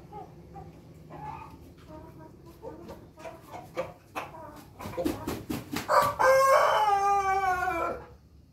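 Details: Pelung rooster call that opens with a run of short clipped notes, speeding up and growing louder, then ends in a long, rich, wavering crow of about two seconds over steady low hum.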